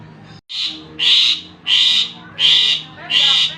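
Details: Javan pied starling sounds played to draw a response from other starlings: five coarse, rasping bursts of even length, spaced roughly 0.7 seconds apart, after a brief silent gap at the start.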